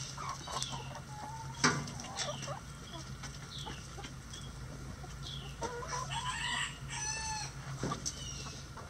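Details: Chickens being fed in their coop, giving many short clucks and small rising and falling notes spread through the clip, with one louder squawk, over a constant low mechanical hum.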